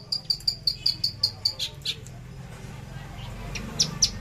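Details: Javan bush lark delivering trotol tembakan song: an evenly spaced string of short, piercing high chips, then a fading pause and two more bright notes at the end.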